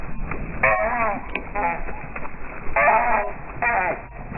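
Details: Eurasian coots fighting fiercely over a pond territory, one bird trying to win it back from an intruding family with three nearly adult chicks; loud nasal, harmonic call bursts repeat irregularly, some short and some drawn out, over splashing background noise.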